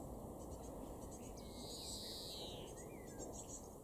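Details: A European greenfinch in a garden in Weener, East Frisia, northwest Germany, in June 2021 gives a faint, drawn-out nasal wheeze lasting about a second. A few soft twittering notes come before and after, over steady low rumbling background noise.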